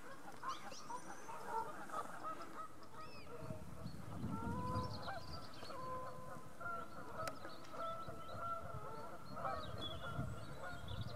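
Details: A steady, continuous babble of many geese honking together at North Third Reservoir near Stirling, with low rumbling background noise throughout.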